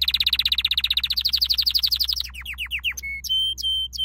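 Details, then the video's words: Canary training song with a fast run of high chirping notes that slows into separate downward-slurred whistles, then a few longer pure whistled tones, over a steady low hum. "Your canary will NEVER STOP SINGING With this training song"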